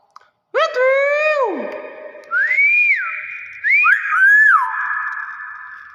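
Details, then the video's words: Common hill myna giving its natural voice: loud, pure whistled notes, the first falling long and steady, then rising-and-falling slurred whistles, each ringing on in a small room. "Suara asli burung BEO"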